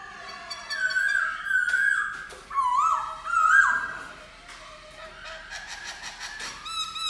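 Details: A black-throated laughingthrush sings warbled, fluty whistles with quick pitch twists in several loud phrases, then softer rapid trilling and a final short whistle.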